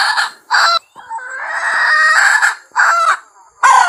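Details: Wild red junglefowl hen calling: loud, harsh, cackling bursts, each under a second long, come in a quick irregular series with short gaps between them, plus one longer drawn-out squawk in the middle.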